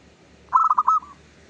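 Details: A single loud phrase from a zebra dove of a local type, played as a lure for other zebra doves: quick staccato coo notes running into a short rolling trill, with near silence around it.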